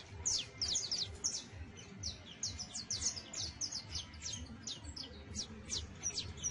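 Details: Saffron finch nestling practising early song with trills and chatter: quick, scratchy high chirps tumbling in uneven bursts, close and clear above a low steady background rumble.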